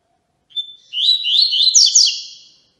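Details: Yellow-bellied seedeater (Sporophila nigricollis) song used for training young birds: a high, brisk phrase of sweet twittering notes after a thin opening whistle.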